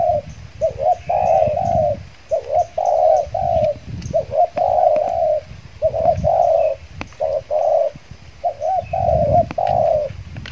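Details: Trained spotted dove decoy, back at a luring site after moulting, Riau Islands, Indonesia; steady series of grating coo phrases about every two seconds over low rumbling and rustling noise.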